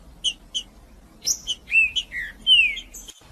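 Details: Green-winged saltator singing to stir males into song: two separate short chips, then a rush of loud whistles, including a long clear note that falls in pitch.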